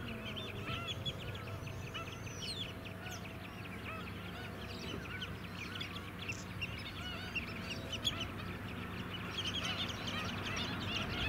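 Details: On mudflats at Scarborough, Queensland, in July 2017, a flock of White-headed Stilts gives scattered nasal yaps, sparser than a full chorus, while engine rumble grows louder toward the close.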